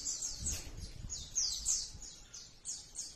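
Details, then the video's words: Sogon singing, recorded for training and luring birds: quick series of piercing high notes, each sweeping downward, evenly spaced, over faint low rumble. "Masteran SOGON Nembak Isian mewah | cocok untuk pancingan dan masteran Burung SOGON Anda"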